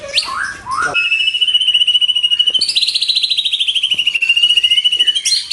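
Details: Recording of white-rumped shama song used as a lure and master for pet birds: brief rising notes, then a long, high, sustained trilled whistle that wavers slightly up and down.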